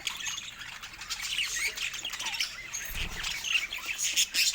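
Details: Pet budgerigars, described as happy, in a busy flock chorus of overlapping high chirps, squeaks and warbles, with a brief low thump near the three-second mark.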